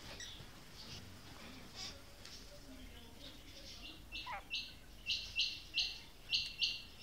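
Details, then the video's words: Female quail calling: after several quiet seconds with faint scattered notes, a series of short, harsh, buzzy bursts repeats roughly every third of a second toward the end, with one brief falling slur just before them. "Female Batair Ki Awaz| Maadi Batair Ki lambi Awazay|Female Quail Calling"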